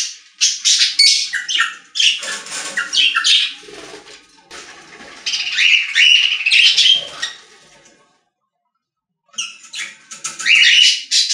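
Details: Budgies in a pet store giving a chattering song of rapid squeaks, clicks and rasping warbles, several birds together, falling silent for about a second before resuming.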